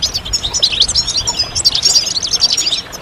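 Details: Group of goldfinches singing, a chorus to speed the birds out of moult: continuous quick tinkling twitters and buzzy chirps overlapping densely across the whole stretch.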